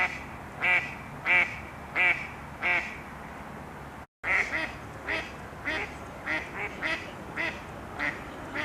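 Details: Female Mallard ducks quarrelling over males in mating season: four clear, loud quacks, a short silence, then softer, quicker overlapping quacks from more than one duck.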